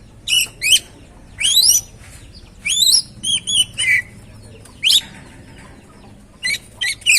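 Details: Oriental magpie-robin song used to stimulate another bird to sing: short separated phrases of high, sweeping whistled notes with sharp rising and falling slurs, bursts spaced irregularly with brief silences between.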